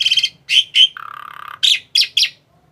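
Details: ['Asian pied starling, a tame bird, giving a quick series of harsh nasal notes, then a low buzzy rattle lasting over half a second, followed by three short sharp squawks before falling silent.']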